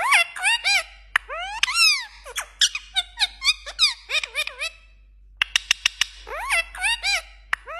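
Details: Talking pet parrot reproducing ringtone and message sounds: fast sequence of curved harmonic whistles and short chirps, a quiet break around the middle, then a run of sharp clicks and more swooping whistled notes.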